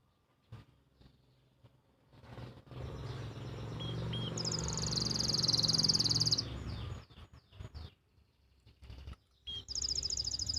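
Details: Canary master song from Pati, Central Java, meant to stir silent canaries and help young birds find their voice; a fast, high, buzzy trill rolls for about two seconds midway and returns briefly at the end over low rumbling background noise.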